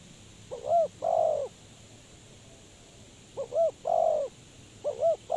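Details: Decoy spotted dove kept for trapping birds. It gives three phrases of soft low coos, each with two quick looping notes and then a longer, fuller coo, with pauses between phrases.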